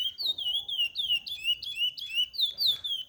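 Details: Chestnut-bellied seed finch from a breeding setup, singing as a tutor for young birds; long drawn whistles that glide downward, interspersed with short sharp upslurred notes, clear and loud.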